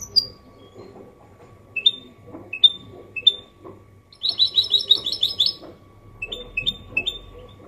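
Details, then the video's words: Málaga-copy goldfinch mule, used to prompt males to sing and chicks to memorise: spaced single high chip notes about every half second, a one-second burst of rapid twittering, then more separate chips. "Mixto jilguero Limpio canto (copia malaga) Elegante / mule of goldfinch bird singing the best sounds"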